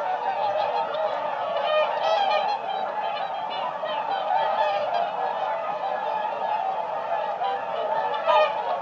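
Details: A flock of whooper swans calling together, a dense, continuous chorus of overlapping honking, trumpet-like notes sustained throughout with no pauses, many birds sounding at once, steady loudness with a brief louder call near the end.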